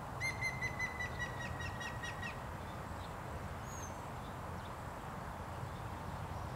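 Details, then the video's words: Grey-headed Woodpecker singing to call for a mate at Gomnaru, Gongju, Korea, 4 May 2023 around 11:20, before being driven off by a magpie: a quick two-second run of about ten clear whistled notes over low background rumble. "Grey-headed Woodpecker singing"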